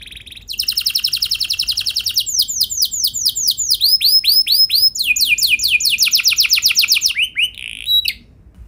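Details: Canary song used as a lure to set other canaries singing: fast trills of repeated down-slurred notes, shifting through several tours, with rapid buzzy rolls and brief sustained whistles near the end.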